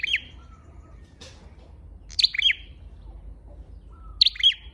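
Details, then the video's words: Three high, sharp twittering calls from a red-headed flowerpecker, used as a lure, spaced about two seconds apart, with a brief click in between and a faint thin whistle behind. "Tiếng chim sâu đầu đỏ mồi"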